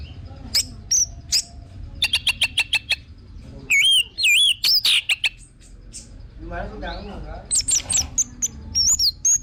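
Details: Orange-headed thrush singing as a lure: clicking chips, then warbled whistles and wavering high notes, a murmuring low chatter mid-clip, and clear slurred whistles at the end.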